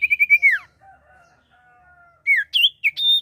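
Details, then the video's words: Common iora singing, used as a lure to attract birds: a rapid run of clear whistled notes slurring downward, a quiet pause, then several loud swooping whistles. "sirtu gacor atau cipoh gacor"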